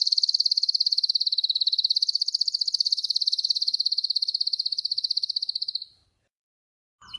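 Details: Sustained high rolling trill from a singing Spanish Timbrado canary, called wild, pulsing rapidly and evenly for about six seconds before stopping, with a brief burst of sound at the end.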